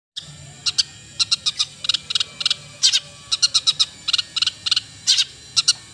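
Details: Long-tailed shrike: sharp, clicking notes repeated in quick, irregular clusters of two to four, high and rasping, over a low steady hum.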